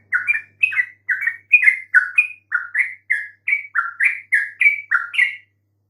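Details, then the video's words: Yellow-vented bulbul luring song: an even sequence of short, slurred, bubbling notes, about three per second, lasting five seconds before stopping. "PANCING trucuk BISU MANAPUN pasti RESPON NYAUT dengan kicauan ini"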